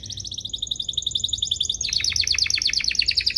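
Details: Canary tutor song to train young birds and to spur singing: a fast, even high rattle that switches midway into a quicker rolling trill of sharply dropping notes, continuous throughout.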